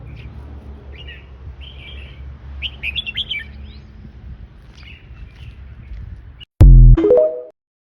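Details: Fancy-class red-whiskered bulbul singing a series of warbled, slurred whistled phrases for several seconds, then cut off by a sudden loud electronic tone near the end.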